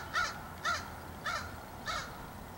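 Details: A crow up in a tree on 27 July 2015 caws four times in a steady series, each call harsh and arched, spaced roughly half a second apart against a quiet outdoor background.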